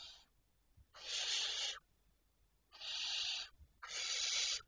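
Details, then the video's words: Barn owls at night, 26 May 2023 at 02:16: three harsh, hissing screeches, each under a second long and spaced about a second apart, against a quiet night background. "Chouettes Effraies"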